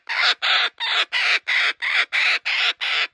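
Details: Captive laughing kookaburra in a sanctuary, delighted with a stuffed toy it stole from a joey and refuses to give up. Nine rough, hoarse bursts follow each other evenly and rapidly, strong and close.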